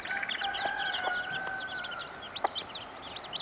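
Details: Mother hen with fifteen chicks: a busy chorus of high, rising and falling chick peeps overlaps a drawn-out, steady hen note, with a few soft knocks and a constant faint background whine.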